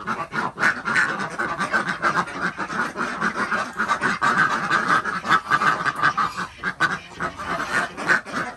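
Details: Morning egg collection at a village duck farm in Andhra Pradesh: Desi ducks give a steady, dense chorus of hoarse, nasal calls that overlap continuously with no clear gaps.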